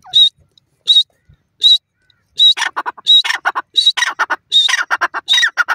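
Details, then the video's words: Francolin call beginning with three short, high whistled notes spaced under a second apart, then breaking into a rapid, rasping series of harsh notes with whistles woven in, growing denser toward the end. "u s a francolin bird sound"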